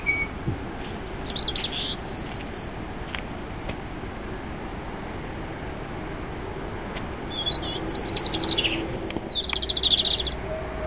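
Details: Robin song in three short bursts of high, thin, tumbling notes separated by pauses of several seconds, the last phrases rapid and trilling, over a low continuous background rumble.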